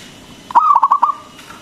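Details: Local zebra dove with a big voice, meant to stimulate other doves to call; a single half-second rolling phrase of five quick coo pulses trailing into a faint steady tone.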